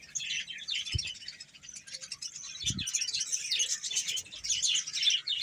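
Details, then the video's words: Budgerigar colony of some hundred pairs at Bahawalpur: lively overlapping high chirps and warbled twitters from many birds, with two short low knocks near the start. "budges sound"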